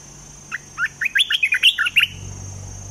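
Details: Olive-winged bulbul, a caged bird used as a trapping decoy, pours out around ten fast, lilting whistled notes in one phrase, followed by a soft low rumble.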